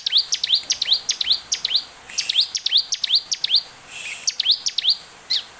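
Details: Bar-winged prinia singing energetically and full of emotion, a recording used as a lure to make other prinias sing: fast, sharp, high chirps that sweep down, given in quick runs of two or three, about two to three per second.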